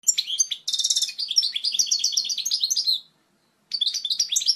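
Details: European goldfinch song meant to train young birds: quick twitters, a rasping buzzy burst, then a long rolling run of bright chirps, a pause of under a second, and renewed twittering.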